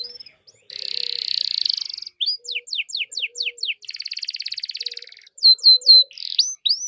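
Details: Lively canary song meant to set other canaries singing: a long buzzy trill, a run of quick descending whistled sweeps, another rolling trill, then loud clear upslurred whistles, with faint low chips beneath.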